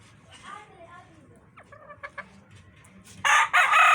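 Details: Domestic rooster kept with a family of hens: a few soft clucks and short notes, then a loud, harsh crow bursts in near the end and is cut off.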